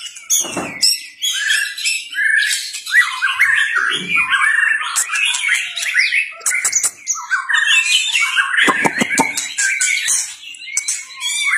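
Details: White-rumped shama in competitive singing, tail flicking: varied rapid phrases of high whistles, buzzy chatters and sharp clicks, broken by short gaps, with some low knocking sounds.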